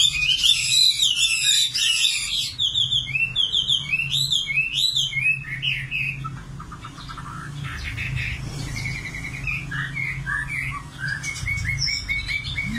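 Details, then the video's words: Nightingale song with fast chattering notes, then series of repeated looping whistles, pausing between phrases, with a low hum in the background. "Singing nightingale. amazing bird song"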